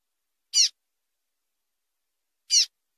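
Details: Female double-collared seedeater call meant to warm up male singers for tournaments: a pair of crisp, high, falling chip notes about two seconds apart in otherwise quiet surroundings.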